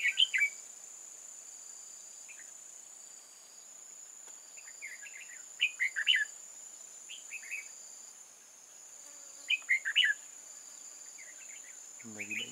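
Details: Decoy red-whiskered bulbul in a trap set to lure wild mountain bulbuls, recorded 8 October 2018. Brief chirpy warbled phrases come in scattered clusters over twelve seconds, above a constant thin high-pitched hum.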